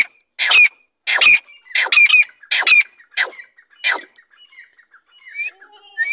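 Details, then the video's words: Female grey francolin calling: loud, harsh, rasping notes repeated roughly every half second, several doubled, then fading into softer chirps. "teetar ki femail voice"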